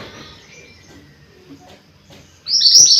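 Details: Mostly quiet background with faint notes, then a mountain white-eye breaks in with a loud, dense burst of high, rising twittering in the final half second. Meant for tutoring or luring this species.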